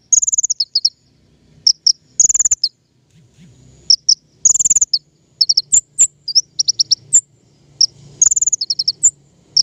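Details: King konin lure song for trapping birds: high chirp bursts, repeated bright trills and sharp upswept notes over a steady low hum in the background.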